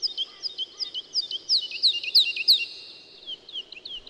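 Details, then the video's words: Woodlark song made of quick repeated whistled notes, a lively tumbling phrase that swells to loud, sharply slurred notes mid-phrase and then trails off into softer scattered notes. "Как поет лесной Жаворонок"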